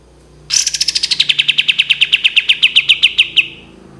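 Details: Cream-vented bulbul giving a long shot-like trill: after a quiet start, a burst of rapid sharp pulses begins high and settles lower, lasting about three seconds over a soft low hum.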